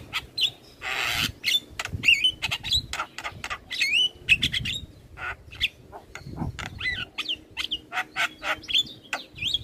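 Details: Master track of Javan myna singing to encourage caged birds: dense stream of clicks, rasps and looping whistled phrases, with a short noisy wing-like flutter near the start.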